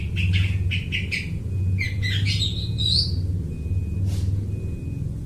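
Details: Long-tailed shrike imitating other birds for use as a trapping lure; a few quick chirps, then a rising twittering phrase, a thin sustained whistle and one short squawk, over loud low engine-like rumble.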